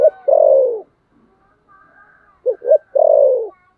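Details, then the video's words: A spotted dove doing the Vietnamese competitive thổ sấm gù: the tail of one long falling coo, a quiet pause with faint tones, then a complete phrase of two short rising notes and a sustained downward-sliding coo. "thổ sấm gù/ Cu gù đấu"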